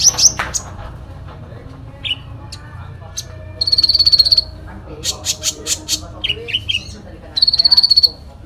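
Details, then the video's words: Sooty-headed bulbul in full fighting song with fill phrases: high buzzy trill bursts repeated in short strings, then sharp chirps and slurred notes, a second rapid trill closing the passage. "Konin Dacok full isian tarung"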